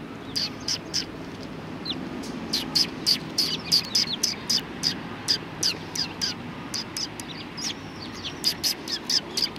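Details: Eurasian tree sparrows coming to get insects, recorded on 29 November 2019: rapid bright chirps repeated about three to four times a second, clustered in bursts, over a low steady background rumble.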